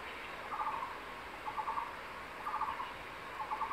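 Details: Male crested goshawk at its nest in secondary forest, having caught a fresh tree lizard, calling his mate to come and eat: four short, rapid chattering bursts about one second apart over steady background hiss.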